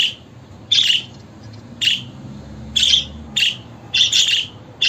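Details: Budgerigar giving a few loud, scratchy chirps spaced about a second apart, ending with a quick double note.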